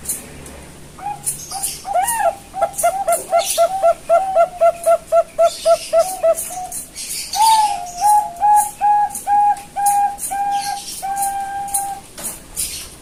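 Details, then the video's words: Young Bangkok-type zebra doves reared at a bird farm in Kebumen, Central Java, Indonesia, candidates for a deep, heavy voice. After a quiet start, a fast string of short coos gives way to a series of longer, steady, slightly dipping coos, with background clatter. "PIYIKAN PERKUTUT BANGKOK CALON SUARA TEBAL BESAR"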